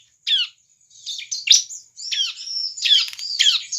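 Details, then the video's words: Prolific bar-winged prinia song used as a lure for other prinias: downslurred high chirps and buzzy notes, more rapid toward the end, over a thin steady high tone. "suara burung CIBLEK GACOR cocok untuk pancingan ciblek bahan agar cepat gacor"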